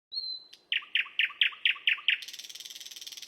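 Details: Lovebird giving a high whistled note, then a quick run of seven sharp repeated chirps about four a second, ending in a harsh buzzy rattle.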